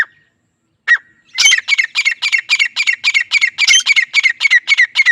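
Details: Grey francolin pair, male and female, starting with two brief whistled notes, then breaking into a fast regular chant of harsh, squawking syllables, about four per second, strident and even.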